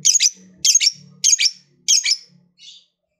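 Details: Lovebird heard at close range giving four loud, harsh high chirps a little over half a second apart, with a fainter fifth note at the end.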